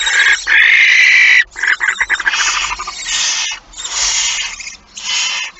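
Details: Barn owl with a mouse at 06:11 on 17 September 2019: a loud, harsh, wavering screech opens, followed by scratchy rustling and several rasping hisses in close succession.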